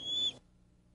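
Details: Bald eagle (Haliaeetus leucocephalus), call.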